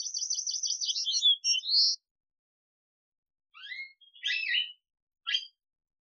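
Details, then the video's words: Male Atlantic canary song: a rapid, even, high trill lasting nearly two seconds ends in a rising whistle, followed after a pause by scattered, buzzy, sweeping notes and a short chirp. The recording is clean and quiet. "Вьюрок канареечный. Кенар Канарейка. Голоса птиц"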